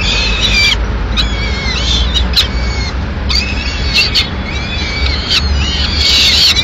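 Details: Peregrine falcon at a nest in Madrid, Spain, on 6 May 2016 as the female arrives with a pigeon; scattered squealing, curving calls with sharp clicks between them, over steady low rumble.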